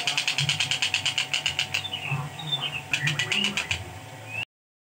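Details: Long-tailed shrike, a training recording for other songbirds, pours out a fast, harsh chatter of clipped notes, breaks into slurred whistles, then resumes the rapid chatter, with a faint low hum behind.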